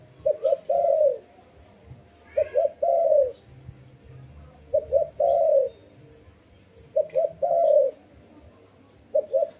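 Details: Steady rhythmic dove cooing, about every two seconds: two short low notes then a longer swelling coo, repeated five times over quiet background.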